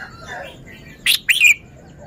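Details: Red-whiskered bulbul song phrasing: one brief, emphatic two-part whistled phrase, the second note sliding downward, after soft background chirps.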